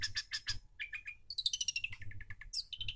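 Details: Long-tailed shrike in energetic full song, used as a lure for a bird that has stopped singing: rapid chattering notes, then a run of repeated sharp high chips and a descending series of clear whistled notes.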